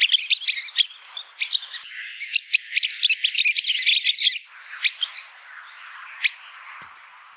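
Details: Sanderling (Calidris alba) calls: a rapid run of sharp, high twittering 'kip' notes, several a second, then a few scattered calls as the chatter thins out.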